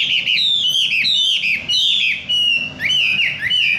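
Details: Energetic wambi bird song of rapid whistled chirps and swooping slurred notes in quick succession, bright and continuous with brief dips, some notes sliding down and others sweeping up.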